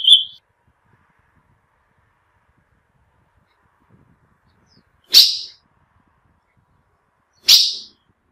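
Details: Short high chirps of a female ultramarine grosbeak, a call meant to excite males: one clipped note at the start, a long silence, then two more sharp chirps a couple of seconds apart.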